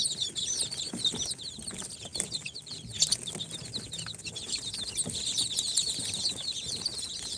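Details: Newly hatched chicks, Sultan, Golden Sebright, Cochin and booted breeds, four days from the incubator, make a dense wall of high overlapping peeps with scratchy rustling and clicks throughout.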